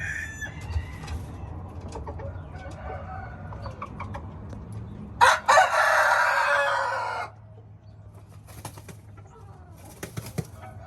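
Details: Red junglefowl crowing: two short harsh opening notes, then a long, loud, drawn-out note lasting about two seconds, cut off abruptly, over a low steady background hum with scattered faint clicks.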